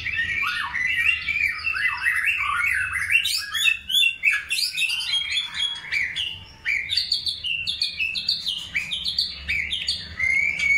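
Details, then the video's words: Long-tailed white-rumped shama singing during the pairing process for breeding: a rich, fast run of varied whistles, slurred notes and sharp chirps, phrases rising and falling without pause, with a few higher ticking notes. "PROSES PENJODOHAN MURAI BATU EKOR PANJANG"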